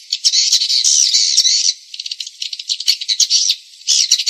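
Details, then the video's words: Lure recording of swiftlets for bird-house farming: a long buzzy chattering stretch, then rapid clicky chirps in quick succession, followed by another harsh twittering burst. "Suara Luar Burung Walet"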